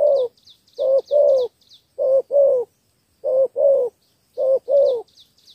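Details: A spotted dove from Cà Mau, Vietnam, gives 'thổ 3 âm' three-note coos. Four short-long pairs sound at roughly one-second intervals over faint, high chirping from another small bird.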